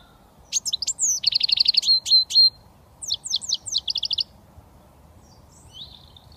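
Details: British European goldfinch, young and only starting to whistle, gives twittering phrases with buzzy rapid trills and sharp chips, then a second shorter phrase, followed by quiet faint whistles.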